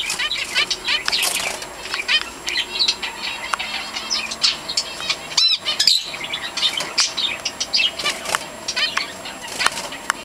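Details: Zebra finch chick about to leave the nest for the first time; busy, high chirps and short nasal calls overlapping in quick succession.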